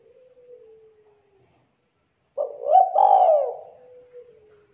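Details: Spotted dove (tekukur) in 'kuk 2' style, thick clear voice: a faint low hum fades out, then after a short silence comes one loud coo phrase, quick notes swelling into a long falling hoot.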